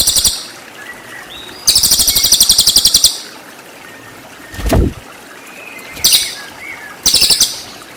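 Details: Cililin 'tembakan' trills used to train white-rumped shama: several fast buzzy rattling bursts of high pulses, one long and others brief, with faint whistles and a brief whooshing sound in between.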